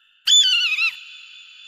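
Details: A brief eagle call: a piercing whistled note that wavers and falls over about half a second, leaving a soft echoing hum behind it.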